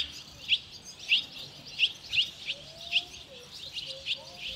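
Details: Fledging Barn swallow chicks, a brood of five leaving almost together: repeated sharp high chirps at uneven intervals under a second apart, with soft low sliding tones in the background.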